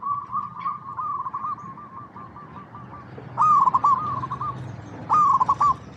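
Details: Zebra dove coo used to lure other doves into song: a soft, bubbling series of short coos at first, then two loud phrases of a rising note followed by rapid stuttering coos, roughly every two seconds.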